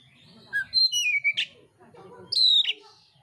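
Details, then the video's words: Oriental magpie-robin, a contest bird, gives a long falling whistle ending in a harsh burst, then a level high whistle with a rough ending, over murmuring low background noise. "kacer mintal tarung bongkar isian kasar"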